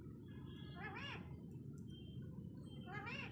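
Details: Talking parrot producing two brief arching, warbled syllable groups about two seconds apart against a low continuous hum.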